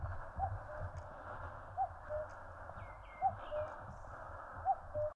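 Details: Four evenly spaced two-note cuck-oo calls from a common cuckoo in the mountains of Korea, each dropping in pitch, with thin high whistles of another bird and a steady hiss behind.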